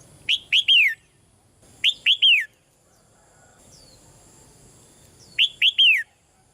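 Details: Female red-whiskered bulbul in a cage, calling softly to stir a male into louder song; three repeated phrases, each two brief bright notes then a drawn-out descending whistle, roughly every two and a half seconds.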